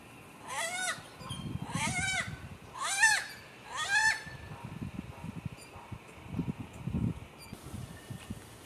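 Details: A Cuban Crow on the Zapata Peninsula, Cuba, in January 2017, gives four nasal, bleating caws about a second apart, each rich and wavering, over a low background rumble.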